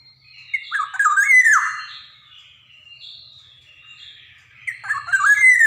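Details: Black-naped oriole from Java, sung vigorously for training young birds: a harsh, slurred squawking phrase, then a softer thin whistled stretch, and a second raspy phrase at the end.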